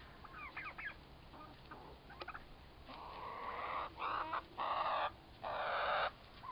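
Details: Turkeys, two toms about four months old, fighting with each other: scattered short harmonic notes at first, then a series of loud, strained calls in bursts roughly every second, with brief gaps between them.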